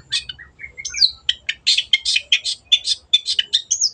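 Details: Long-tailed shrike in full, lively song, played as a lure to get stuck birds singing: a rapid run of harsh, scratchy chattering notes mixed with short whistles and upslurred squeaks, delivered almost continuously over a quiet background.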